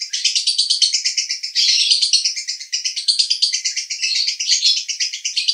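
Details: Long, nonstop konslet song from a male lovebird at Cibinong, Bogor: dense, high rattling chirps pulsing rapidly and steadily, swelling louder midway.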